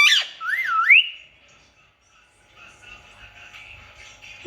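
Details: Indian ringneck parakeet gives a brief harsh squawk, then a looping whistled note that dips and rises, followed by a faint, drawn-out tone.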